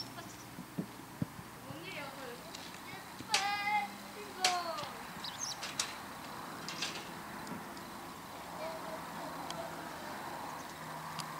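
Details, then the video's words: A White wagtail calls on a rooftop in the evening, giving two sharp, high chirps about a second apart and a few fainter ticks, over a steady hiss, with children playing nearby. "ハクセキレイの夕方の鳴き声 White Wagtail"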